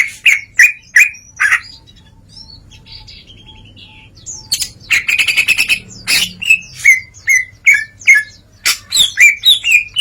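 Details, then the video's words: Greater green leafbird pouring out varied song: sharp chirps repeated in quick series, a soft low interlude, then a dense buzzy burst followed by loud chirped and whistled notes about twice a second. "CUCAK IJO NGEPLONG || BONGKAR ISIAN"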